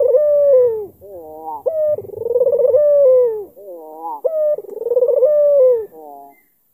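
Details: Albino Barbary dove with a black collar repeating its coo to provoke an opponent: rolling, pulsed onsets merge into long smooth tones that fall away, about three phrases, with brief stepped notes between.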